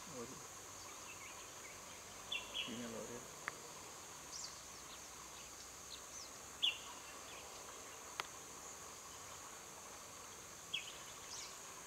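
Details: Spangled drongo filmed in Cotigao Sanctuary, Goa, India, in December 2000: short, sharp, metallic chirped notes given singly and spaced several seconds apart over a steady hiss of forest background noise.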